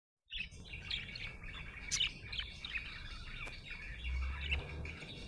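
A budgerigar chirps and warbles busily, a steady stream of bright, scratchy twitters.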